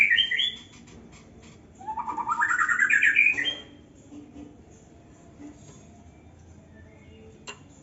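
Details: White-rumped shama, a young bird in an aviary, gives a short high whistled burst, then a rapid, evenly pulsed series of notes climbing steadily in pitch, followed by quiet with faint background noise.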